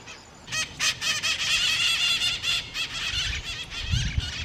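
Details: Black-throated mango of the Atlantic Forest giving a loud, nearly continuous harsh chatter, rapid scratchy buzzing notes running together for about four seconds, with low rumbling noise near the end.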